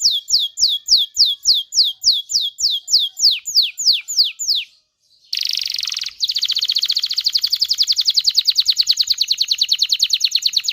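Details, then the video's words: Canary singing aimed at exciting males and females to mate: a regular series of sharp descending whistles, a short silence, a burst of harsh buzz, then a long fast rattling trill. "تغريد كناري لتدريب ذكور واناث الكناري على التزاوج. صوت كناري لتزوج .. Canary singing"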